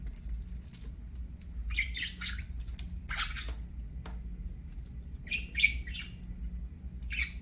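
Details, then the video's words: Budgerigar chirps come in scattered short bursts: a few harsh squawky notes, pauses of near silence, then another quick cluster of scratchy chirps toward the end, over a constant low background hum. "BUDGIES CHIRPING SOUND"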